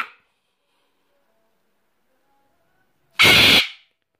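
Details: A single harsh, raucous scream from a pet sulphur-crested cockatoo, loud and grating, about half a second long, after near silence, while its owner scolds it for screaming.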